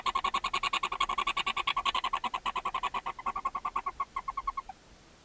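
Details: Barn owl mother and her seven owlets in a chimney nest box in Ságvár, Hungary, on May 4, 2024, during feeding: a dense, fast pulsed chitter that slows and fades out near the end.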